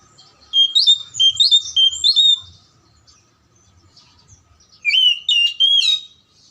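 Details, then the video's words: Oriental magpie-robin song meant to trigger silent or lazy magpie-robins into song: a run of about five quick, clear whistled notes, a pause of two seconds, then three more loud whistled phrases. "PANCINGAN KACER MACET & MALES BUNYI AGAR JADI KACER RAJIN GACOR NGOBRA"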